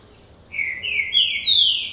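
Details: Male lined seedeater starting its classic-style song: three loud, drawn-out whistled notes, each sliding downward and joined almost seamlessly, in a two-second phrase.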